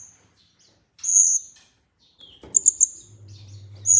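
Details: Olive-backed sunbird, called kolibri ninja, in a lure recording: a long shrill high whistle, a short lower slurred note, then a trio of sharp piercing chips and another whistle, with low hum at the end.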